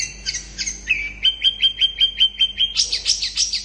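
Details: Long-tailed shrike in fast, dense chattering song meant to provoke other shrikes to answer: a few sharp high notes, then a steady run of about ten clipped whistles repeated quickly on one pitch, ending in a burst of rising, scratchy chirps.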